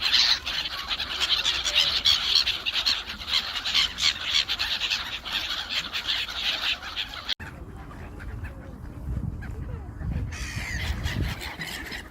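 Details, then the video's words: Urban park gulls squabbling over food on a frozen lake in winter, ducks also present: a crowded, continuous din of shrill, scratchy cries for about seven seconds, then a sudden cut to quieter calls with low rumbling background. "Seagulls Arguing Over a Frozen Lake"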